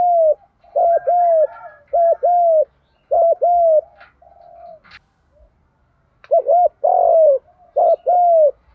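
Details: Spotted dove giving a full cooing song in the "đồng pha" voice style, played to make other doves coo: mellow hooting coos in pairs and triplets, each note rising then dipping, with soft murmured notes between phrases.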